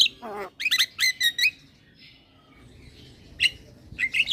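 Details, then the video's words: Starling (jalak) lure song to get a silent bird singing: a downward wavering squeal, a clutch of bright trilled notes, a quiet gap, then a few scattered chirps. "Terapi Burung Jalak Macet Bunyi / Jalak Pikatan Bikin Cepat Gacor Manggut3"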